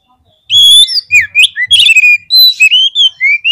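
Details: Oriental magpie-robin (kacer) song used as a lure to rouse birds to fight: a fast, loud run of varied whistles, slurred rising and falling notes and scratchy chips, with faint low thumps beneath.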